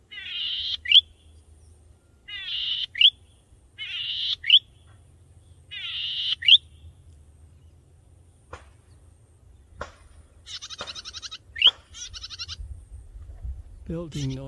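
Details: Breeding-plumaged male golden-headed cisticola sings vigorously from high on a tall grass stalk to attract a mate: a short buzzy note ending in a sharp upswept plink, repeated four times about every two seconds, then scattered clicks and a man talking.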